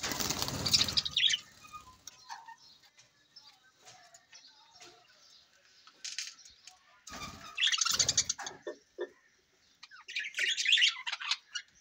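Budgerigars chatter in bright, scratchy bursts of high warbled notes and chirps.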